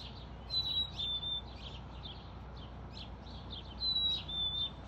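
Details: Black-capped chickadee singing in a back yard in northwest Calgary, Alberta, at 12:46 pm on July 5, 2022: a clear two-note whistle, the second note lower, given twice about three seconds apart, with soft chirps from other birds behind.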